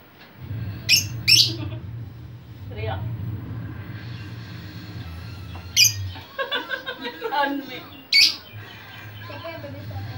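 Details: Talkative lovebird whose chatter serves to lure other lovebirds: piercing squawks at the start, a run of quick rapid chattering notes midway, then another sharp squawk, against a constant low droning hum.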